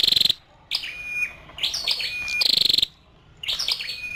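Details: Female scarlet-backed flowerpecker giving high, thin chirps: a buzzy, rapidly pulsed note opens, then sharp twittering notes with a steady whistled tone follow, another pulsed burst comes near two and a half seconds, with short silent gaps between bursts.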